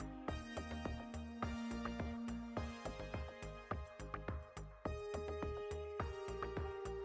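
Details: Soft electronic background music with plucked notes and sustained tones plays throughout, with no animal calls audible.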